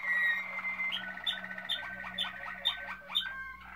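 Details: Malinois Waterslager canary, 2016, giving a clear whistle then a series of rhythmic dipping notes about twice per second, with bright upper accents and a low steady hum behind.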